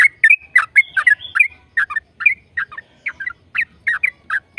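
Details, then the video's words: Yellow-vented bulbul in steady 'gacor' song for encouraging other bulbuls to sing, giving a quick run of liquid, slurred two-part chirps at a brisk, slightly irregular pace. "PANCINGAN TRUCUKAN AGAR BUNYI burung TRUCUKAN GACOR ropel"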